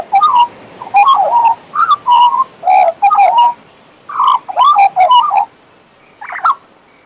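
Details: Warbling and whistling from a pet male Western Australian magpie: a long chain of quick, fluting, up-and-down phrases in close bursts, pausing briefly midway, ending with a single rougher note.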